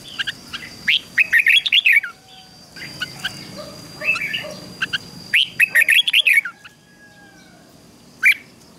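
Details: Red-whiskered bulbul giving ché-style song to stimulate caged birds to sing: two energetic bursts of rapid, upward-slurred chirps separated by softer twitters, and one lone sharp note near the end. A steady faint whine persists.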